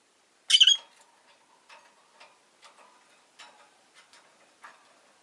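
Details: Rosy-faced lovebird in a window-side cage of five birds gives one loud, grating chirp, followed by a string of soft, regular ticking and clicking sounds.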